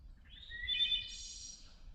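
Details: On day 98 of an Appalachian Trail thru-hike, a Wood Thrush, identified with the Merlin app, gives a single fluting song phrase, clear notes climbing into a high shimmering trill, over a faint low rumble.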